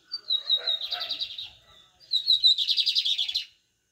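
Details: Two phrases of pardinho song from a lined seedeater. Each starts with a clear high whistle and breaks into a rapid, evenly pulsed buzzy trill, with a short pause between them and no other sounds.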